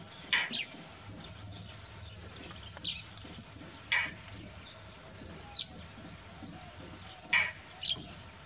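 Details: Indian roller, also called Neelkanth, giving short harsh rasping bursts at irregular intervals, about six in eight seconds, some doubled. Faint thin rising chirps sound in the background over a steady low hum.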